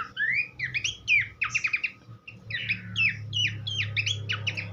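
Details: Horsfield's babbler song used as tutor material for training songbirds: rapid chattering phrases of sweeping, rising and falling whistled notes, densely packed and repeated, with a steady low hum in the background.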